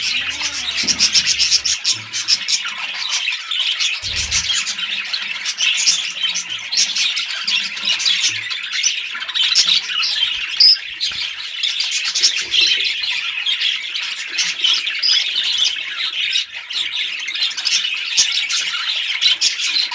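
Budgerigars chatter nonstop in a dense, high warbling of squawks, chirps and clicks.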